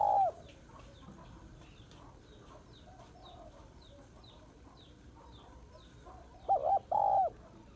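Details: Female spotted dove calling to rouse males: a phrase's tail end, a long quiet gap with faint high chirps from small birds, then a double hoot and rolling coo.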